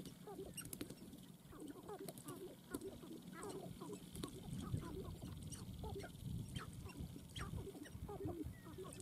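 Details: Sharp-tailed grouse; display calls; males displaying at the dancing ground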